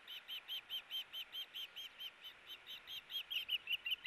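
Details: Osprey pair tugging at a fish on the nest, recorded 4 August 2018: steady rapid string of clear, piercing whistled notes, roughly four per second, briefly softer then rising again in strength.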